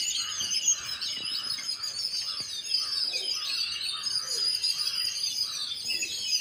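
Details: Flock of sparrows chirping, a busy wall of high twittering overlaid by lower, short chirps repeated roughly every half second.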